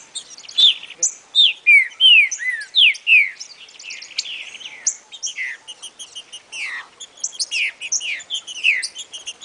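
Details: Green-winged saltator in the "60 boi" song style for training chicks. A dense stream of quick, high, downslurred whistles and chirps runs throughout, with brief bright notes repeated roughly once a second.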